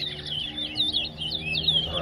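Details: Wessequibo towa towa in a caged whistling match at Tuschen, Guyana, delivering a two-second burst of bright looping whistles that dip and climb repeatedly, low hum underneath.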